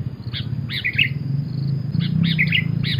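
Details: Sooty-headed bulbul in lively lure song, short chirpy notes in two quick bursts over a steady low rumble.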